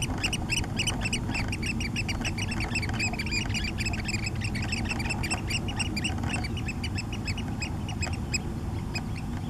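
Oystercatchers pipe a dense, overlapping stream of shrill, high 'kleep' notes from several birds at once, over a steady low rumble of wind or surf.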